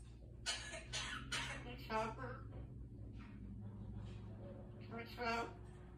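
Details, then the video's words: A pet African grey parrot indoors mimics human sounds: three harsh, very human-like cough bursts in quick succession, then short speech-like phrases at a human voice's pitch. "Talking African grey parrot"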